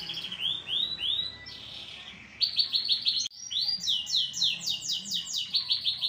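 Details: Agitated canary in lively song: rapid swooping rolls, each note sliding down, repeated three to four times a second. After a brief break comes a louder run of bright, descending chopped notes.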